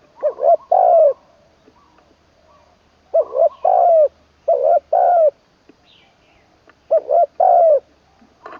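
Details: Training session three of a decoy spotted dove in Thailand's Isan region, ขันลงกุกวัย style with full middle note: four repeated low coo phrases, each quick double hoot then longer falling coo, with faint chirps between.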